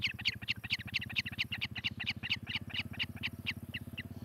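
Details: Osprey at a Charlo, Montana nest, nest camera, morning of 18 July 2018; high whistled chirps about twice per second over a loud, rhythmic low rumbling pulse, calls thinning out near the end.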